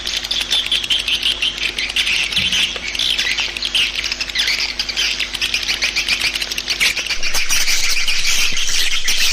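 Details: Swiftlet summoning call: a steady wall of high, fast chirping and buzzy twitters, densely packed, growing slightly louder toward the end, with a faint low drone in the background.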